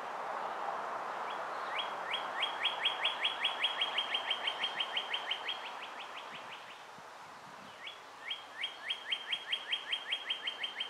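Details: Ft. Hunt nest, May 23, 2015, with two juvenile Bald Eagles: two strong runs of quick, clipped, high chirps, each note rising sharply, separated by a short pause, over low outdoor rumble.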